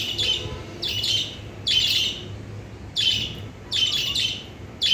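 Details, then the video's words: Caged pet lovebirds reacting to their new cage with loud bursts of shrill, buzzy chirps roughly every second, each burst a dense cluster of harsh notes over a steady low indoor hum. "love birds are talking about new cage"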